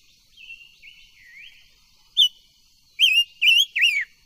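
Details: Silver-eared mesia, a kept cage bird, in song for voice training: soft drawn-out descending whistles, one short bright note, then three loud warbling whistled phrases close together, with a constant faint high hum behind.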